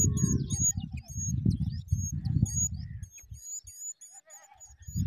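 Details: Young small minivet calling with thin, high whistled notes, short and repeated rapidly in a steady string, over loud low rumbling and handling noise.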